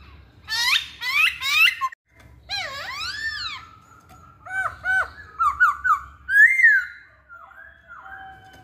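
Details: A Masked laughingthrush gives rapid chattering notes, then swooping upslurred whistles, steady level tones and a string of short bouncing whistles, closing on a soft descending phrase.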